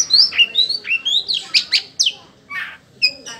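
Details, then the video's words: Oriental magpie-robin (kacer) delivering a string of clear, rising whistled notes at a steady pace, followed by a few scattered high chirps. "Suara Asli Kacer"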